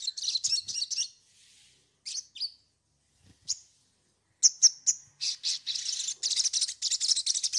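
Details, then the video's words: Sogon, an Indonesian songbird, singing as a lure to prompt another bird into song: bursts of high, sharp chirps and buzzy trills, broken by short gaps, then building into a dense run of rapid notes. "pancingan sogon bahan agar bunyi"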